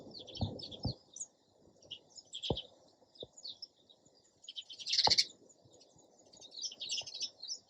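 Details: Chattering sparrow chirps run throughout, with one loud, dense burst of chirping midway and several sharp clicks or taps.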